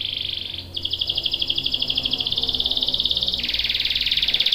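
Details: Canary singing a long roll meant to prompt other canaries to sing: a steady high trilled roll, then a slower series of rapid repeated notes that shifts pitch and ends in a lower sustained trill.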